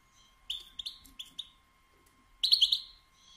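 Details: European goldfinch, a female's batbata chatter meant to stir males into song and mating: a few short bright chirps in two quick bursts, then a longer, louder twittering phrase near the end, over a faint steady hum.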